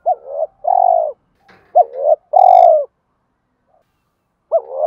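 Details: Spotted dove in 'thúc đấu' fighting-coo style, played to draw wild doves in when setting traps; mellow low coos, two stretched falling notes alternating with short clipped hoots, plus a faint click between phrases.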